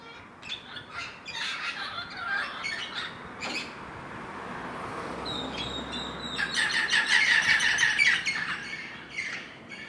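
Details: Several Caribbean green parrots in Cancun, Yucatán, Mexico, raucous and overlapping: dense harsh squawks and chattering notes, a brief lull, then a loud, rapid run of grating calls near the end.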